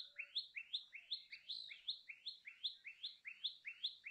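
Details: Common tailorbird song of bright, rising chip notes repeated rapidly and evenly, about two and a half per second, with a faint low whistle in the background.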